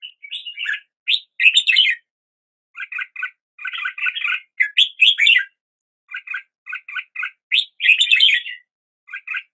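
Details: A red-whiskered bulbul alternates rich warbled phrases with clusters of short, clipped double chirps, the sequence repeating over about ten seconds without background noise.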